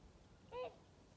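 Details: A swan gives a single short nasal honk with a slight rise and fall in pitch, barely a fifth of a second, at sunrise, over a faint low background rumble.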